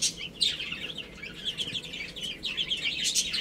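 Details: Several young chicks peep busily as they play and eat, making thin high chirps that run together into an unbroken twittering chorus, with faint scratching noises beneath.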